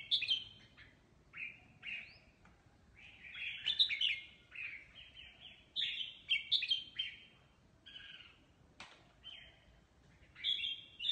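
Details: Mutant red-whiskered bulbul singing competitively: short bright whistled phrases, each a quick slurred note or two, delivered in bursts with brief pauses, some louder clustered notes around the middle and end, against a quiet background.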